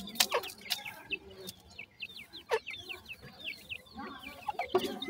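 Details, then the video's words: Grey francolin female with five chicks at feeding time; the chicks give quick high chirps, many sliding downward, overlapping in a steady stream, with a few sharp clicks and knocks. "Dakhni Teetar chicks khorak time,Female with 5 chick"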